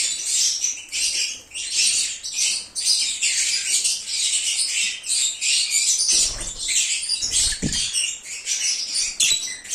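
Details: Cheerful lovebird singing and chirping, played to attract an escaped lovebird home: rapid, shrill, high chattering in uneven bursts, with a couple of faint low thumps late on.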